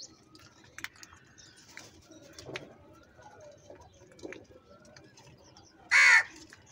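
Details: After several seconds of faint background chirping, a crow in a food fight bursts out with one short, harsh caw near the end.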